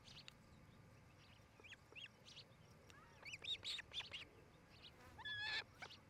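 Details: Osprey pair calling at their Montana nest in Charlo on 8 July 2018, late afternoon, via nest camera: soft scattered chirps building to clusters of high slurred whistles, ending with a strong drawn-out whistle.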